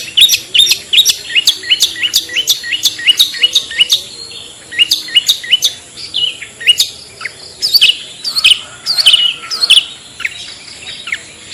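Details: Long-tailed shrike lure call, the clear 'toet toet' sound used to attract shrikes; a fast run of short hooked, rising whistled notes, several per second, continuing steadily with slight variation in pitch.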